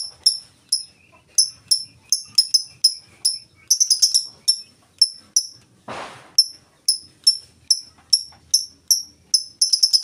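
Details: Lovebird singing in the ngetik style, steady ticking with no chattering trill, used to prompt other lovebirds: sharp, very high clicking chirps, single or in quick clusters, about two per second, with a brief rustling burst near the end.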